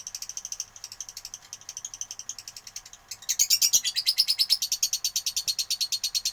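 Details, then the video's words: Fighter-style lovebird chatter: quick high rasping chirps about three per second, softer at first, then suddenly louder and more intense after three seconds, continuing in a fast, even run. "Love bird fighter"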